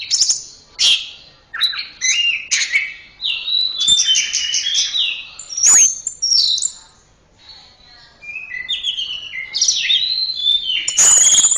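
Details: Orange-headed thrush delivering varied song, a string of clear whistles, trills and sharp high notes, with a quiet gap midway before the bird resumes with sliding whistles and a high piercing note at the end.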